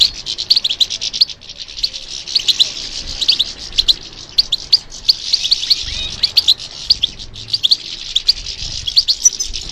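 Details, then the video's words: Sustained European goldfinch song prompted by stimulation, a fast jingling stream of high chirps and twittering trills with accented sharp notes every second or so, nearly unbroken for ten seconds. "How to encourage the goldfinch to respond to stimulation"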